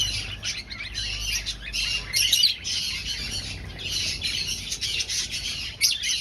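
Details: Finches in an aviary colony during breeding, looking for nests: a dense chorus of high, buzzy chirps overlapping continuously, with louder sharp squawks near the middle and end and a low background hum.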